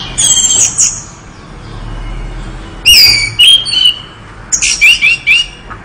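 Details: Orange-headed thrush gives high sliding whistles, falls silent for over a second, then returns with loud slurred whistled phrases and a quick series of repeated upslurred notes.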